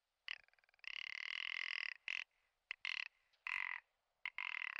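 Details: Spring courtship lek of the Commander rock ptarmigan, Lagopus mutus ridgwayi, Komandorsky Nature Reserve. A fast ticking rattle rolls into a long, harsh, buzzing croak, followed by several shorter grating bursts with brief gaps between them.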